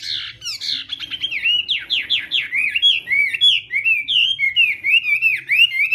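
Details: Chinese hwamei singing in morning voice practice: loud, rich whistled phrases of rapid slurred notes around the mid-high range, repeated in quick runs with bright upswept flourishes, clear and dominant over a faint low hum.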